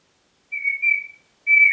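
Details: Congo grey parrot kept as a pet in Diebach near Hammelburg, Germany, recorded 4 April 2012, whistling: two clear steady high whistles, a pause, then another sustained tone, in a quiet room.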